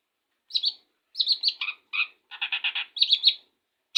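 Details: Freshly bathed Long-tailed shrike in the morning, bursting into song with sharp high chips, lower buzzy notes, and a quick rattling run of five clipped notes before more bright chirps.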